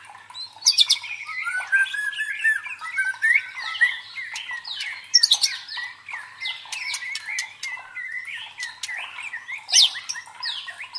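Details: Song of a white-rumped shama used as a training lure for fighting contest birds: long continuous varied medley of whistles, sweeping slurs, rapid high trills and harsh scratchy notes, several loud sharp peaks.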